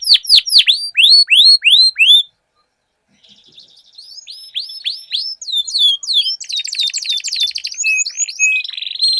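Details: Dueling canaries singing: quick down-slurred whistles, a pause of about a second, then buzzy trills and rapid rattling rolls with a sustained whistled tone.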